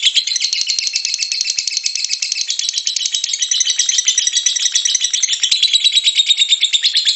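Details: Lovebird giving a long, dense, high-pitched chattering trill, the ngekek song style, used as a lure to provoke other lovebirds into singing; rapid buzzy notes run unbroken for the whole stretch, with a steady pulsing rhythm and no other clear sounds.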